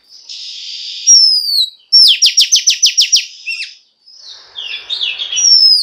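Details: Female Oriental magpie-robin rousing males to sing: a long buzzy note, a high downslurred whistle, then about eight quick identical downslurred notes in a row, followed by softer warbling.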